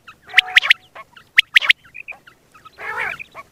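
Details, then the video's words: Single male quail calling, recorded for morning and night hunting. Two quick bursts of three sharp, bright notes each, then scattered softer notes and a brief rasping burst near the end. "Batair ki single awaz single male Quil beautiful sounds morning and night hunting بٹیر کی سنگل آواز"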